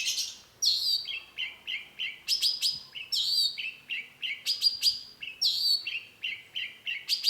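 A Long-tailed Shrike sings a lively, scratchy medley: sharp high downslurred notes alternate with lower, harsher chips, about two or three notes a second, over quiet background.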